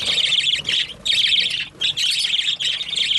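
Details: Loud birds give shrill, buzzy squawking in quick bursts, with short dips around the first and second seconds.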